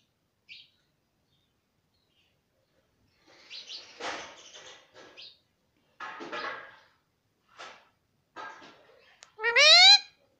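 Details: Pet parrot that talks nonstop, saying mummy and papa; scattered quiet gurgles, clicks and mumbled syllables build up, ending in one loud, rising, harsh call rich in overtones.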